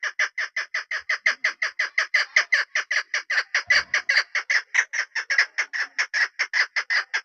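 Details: A long, unbroken chain of about forty rasping chuk notes from a local female chukar partridge used as a hunting decoy, delivered at a brisk, steady pace of well over two per second.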